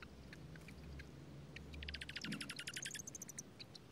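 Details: Attentive Dark-eyed junco parents with newborn young at a strawberry-patch nest in Washington State during heavy rain; a rapid run of sharp, evenly spaced high notes for over a second, set against steady patter of rain.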